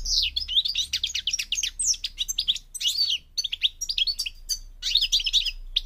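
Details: European goldfinch, parva form from North Africa, Morocco, pouring out dense, jingling twitters and high descending slurs over a faint low hum.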